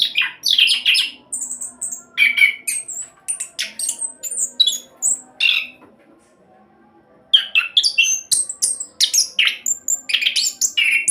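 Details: Rolling orange-headed thrush song for prompting other birds to sing, with rapid harsh and whistled phrases, a silent pause of about a second midway, then another dense burst of high notes.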